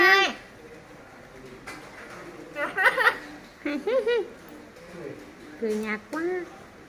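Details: Common hill myna talking, calling out a baby's name in mimicked human speech: several short, tonal, voice-like phrases with swooping pitch, separated by pauses, with soft indoor background noise.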